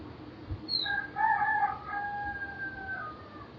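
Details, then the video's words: Rooster crowing on a summer morning in a tranquil mountain village, one long crow that rises, holds a steady level tone and trails off over about two seconds, preceded by a brief high bird chirp, with faint low background rumble. "Rooster Calls"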